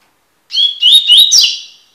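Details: Double-collared seedeater song of the tui-tui type, recorded for tutoring: ringing whistles rising in pitch, then a rolling buzzy trill trailing off over about one and a half seconds, in silence otherwise.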